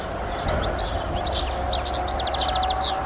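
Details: Short burst of European goldfinch song from a garden: liquid chirps rising into a quick run of evenly repeated buzzy notes, over a low steady hum.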